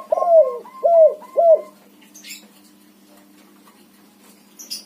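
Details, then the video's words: White-coloured spotted dove of the backspot type, singing actively as a lure for doves that have stopped calling: three quick cooing notes, each sliding downward, in a steady rhythm. Brief faint chirps follow in a quiet background. "suara tekukur warna putih BS backspot manggung gacor untuk pancingan burung derkuku macet bunyi"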